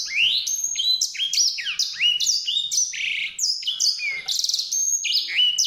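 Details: Grey singing finch (Crithagra leucopygia) song: a fast, continuous canary-like warble of sweet twittering notes, sweeping up and down and interspersed with brief rattles.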